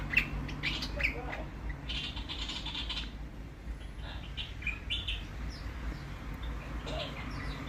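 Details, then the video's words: Australian willie wagtail, described as pretty chatty during a day of yucky weather, giving bright, sharp chirps and brief scratchy bursts in the first three seconds, then scattered calls over a steady low hum. "beautiful bird call from the Australian willie wagtail"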